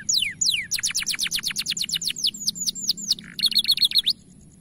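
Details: Bright-coloured canary in a powerful, long-running training song: quick descending whistled notes repeated several times a second, a few slower slurred notes, then a dense buzzy trill before it stops abruptly.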